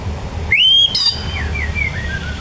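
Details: White-rumped shama singing in imitation of a bar-winged prinia: a long rising whistle sliding up, a sharp high note, then a series of softer descending slurred whistles, over a steady low background rumble.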